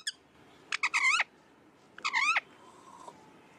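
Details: Pet parrot vocalizing: two harsh, rasping squawks about a second apart, each rich and nasal with a wavering rise and fall, over quiet indoor room hiss.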